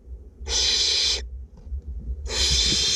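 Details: Barn owlets, two of them, fed in a north Glasgow nest box, give a pair of breathy, rasping hisses lasting roughly three quarters of a second each, with near silence between.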